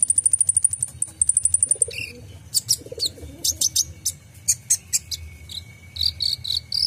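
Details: Van Hasselt's sunbird (kolibri ninja) song in the full 'isian' style, played to train caged songbirds: a very high, rapid ticking trill in two bursts, then scattered piercing chirps and thin whistles over a low background hum.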